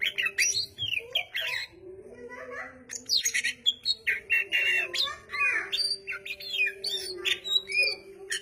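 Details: Oriental magpie-robin singing energetically, with busy bursts of sharp chirps, slurred whistles and harsh notes in rapid succession, a constant low droning tone underneath.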